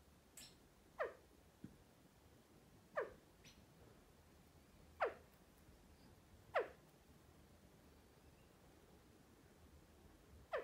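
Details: Pet male California quail standing on its owner's arm, calling back and forth with its sister: single sharp, falling notes roughly one every one to two seconds, in a quiet indoor room.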